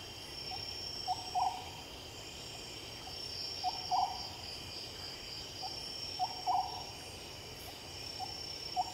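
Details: Night-time Oriental scops owl repeating hollow three-note phrases, the final two notes close together, roughly every two and a half seconds, with constant shrill insect drone behind.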